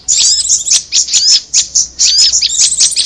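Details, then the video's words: Prinia lure sound: clusters of sharp high chirps and bright downslurred whistles, about one burst each half second, with the chattering pauses in between. "Suara pikat korlap dan Prenjak bawah joss gandos"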